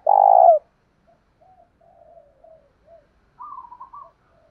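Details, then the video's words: Spotted dove lure call, loud rural-style voice, used to goad rivals into fighting. It opens with one long, strong, low coo. Soft, scattered coos and a faint wavering phrase follow. "Tiếng chim cu gáy mồi thúc đấu"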